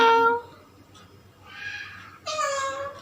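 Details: A pet ringneck parakeet talks, imitating words like "meow" and "mama", in three short, nasal, harmonic bursts in a quiet room; the first burst is lower, and the last two are higher and mewing.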